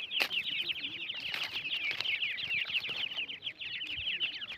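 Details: Chorus of francolin (teetar) chicks giving many high, thin peeping notes, each slurring downward, overlapping in a steady stream, with a few knocks and faint low sounds beneath.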